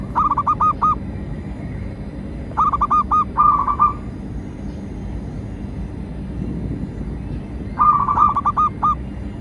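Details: Zebra dove (local perkutut) song used as a lure to train captive doves and attract wild ones: bursts of rapid, bubbling cooing notes repeated in short phrases with pauses between, over steady low background hum.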